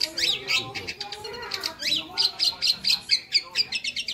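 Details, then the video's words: Energetic long-tailed shrike (cendet) gacor masteran song with lively fill: rapid strings of high chirps and buzzy notes, pulsing several times a second, with a few swooping whistles. "suara masteran burung cendet gacor ,isian hidup"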